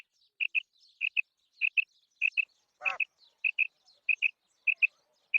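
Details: Female quail (batair) calling: short high chirps in quick pairs, repeated roughly every half second in a steady rhythm, with one longer buzzy, downward-smeared note near the middle; otherwise quiet background.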